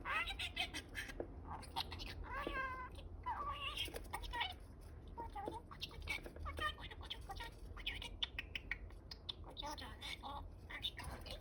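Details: Pet male budgerigar chattering to himself indoors while his mate incubates many eggs: soft, rapid, warbling mutters and squeaky speech-like phrases over a faint background hum.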